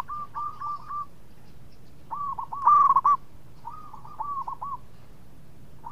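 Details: Zebra dove of local stock, praised as a melodious, active singer that draws other birds to sing, giving a loud quick stuttering coo at the centre, with softer repeated coo phrases before and after.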